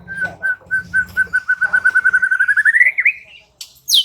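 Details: White-rumped shama (murai batu) in lively reply song: a run of short whistled notes that speed up and climb steadily in pitch into a swooping twist, with a faint low hum underneath and a sharp high note at the end.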